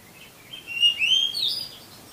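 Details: Kacer, the oriental magpie-robin, sings a master song meant to prompt lazy caged birds: a sweet sliding whistle rising into a longer bright note, then a short downward flourish, quiet surroundings.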